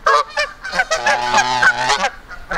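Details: Aggressive Canada geese confronting a person in Victoria Park, Kitchener, Ontario, close to attacking: a rapid chain of honks, brassy and harsh, with a steady low hum running beneath and a man's pleading voice nearby.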